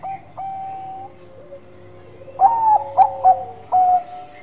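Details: Bangkok-type zebra dove singing in the manggung style: a burst of short, clipped coos followed by a longer drawn-out coo, with fainter steady coo notes from other doves in the background.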